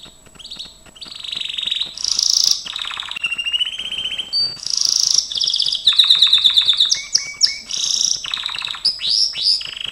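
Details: Singing Gloster canary in a training recording. A long continuous medley of buzzy rolls, steady whistled trills, sharp rising chips and fast chattering runs, switching phrase every one to two seconds.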